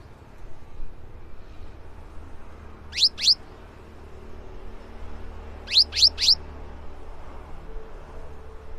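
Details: Lively cinereous tit, played to prompt other birds to sing, gives short runs of two or three quick falling whistles separated by pauses, with a low hum underneath.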